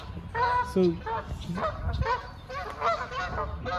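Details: Canada geese flying in at Jericho Park, Vancouver, early March 2021, in late winter as the breeding season starts: a quick series of overlapping nasal, two-part honks, three or four a second, with background noise.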